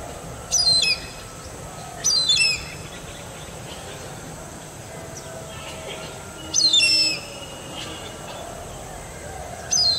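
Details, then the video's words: Indian grey hornbill in India uttering four bursts of shrill, squeaky notes that slide steeply downward, separated by irregular pauses of one to four seconds, against a quiet background with faint hiss. "Indian Grey Hornbill Call"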